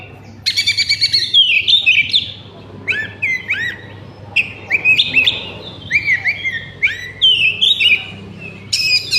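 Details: Oriental magpie-robin in lively song used as a lure to make other magpie-robins sing: high buzzy bursts, then loud slurred whistled phrases that rise and fall, delivered in quick succession with a faint low hum behind.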